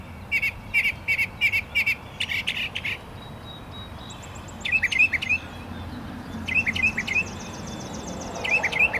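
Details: Two or more mockingbirds in a hard fight trade quick bursts of sharp high chips and short twittered notes in irregular groups, with constant low background noise.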